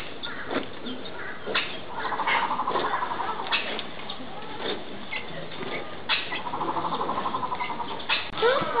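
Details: Captive vulturine guineafowl at Yumemigasaki Zoo Park: two bouts of rapid, rattling pulsed chatter, the first early and the second after a pause, with scattered clicks, knocks and faint voices in between.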